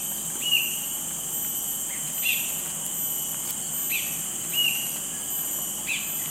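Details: Cinereous Bulbul in Singapore, a rare non-breeding visitor there, calling non-stop with short, bright, slurred notes every one to two seconds; its partner is heard intermittently in the background over a steady, high buzzing insect chorus.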